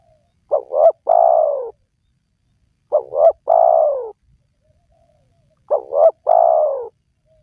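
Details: Spotted dove coos, used to lure wild doves into calling. Three evenly spaced phrases, roughly every 2.7 seconds. Each is a pair of short, wobbling notes and then a long, low, gently descending coo. Clean recording.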